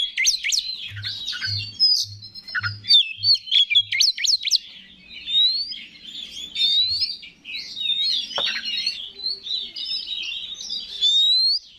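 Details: Provoking lure song of an Oriental magpie-robin (kacer), a bird entered in singing contests: sharp upslurred whistles in quick series, then softer rambling warbles and sweet rising notes, with a steady low beeping early on and a brief knock.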